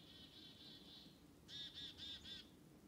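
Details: Black-capped chickadees follow people through a forest, giving harsh, buzzy "dee" notes in quick runs: a faint series, then four louder notes at about four per second.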